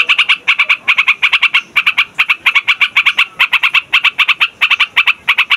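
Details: Yellow-vented bulbul chattering loudly in a long-rolling song suited to luring wild birds: evenly spaced bursts of three to four bright notes repeating steadily without a break.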